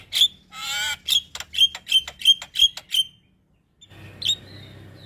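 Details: Javan myna, cage-bird training recording: a rasping buzz, then about seven short, harsh chirps roughly every third of a second, a pause, and one last squawk over faint low hum.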